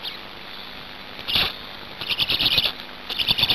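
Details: Black storks in Hungary during feeding at the nest on 5 May 2019 at 17:02: bursts of high, hissy, wheezing calls that come in clusters over steady background noise.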